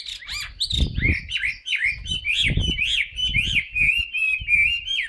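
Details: Caged Chinese hwamei in full song, a steady stream of bright slurred whistles swinging up and down, with intermittent low thuds.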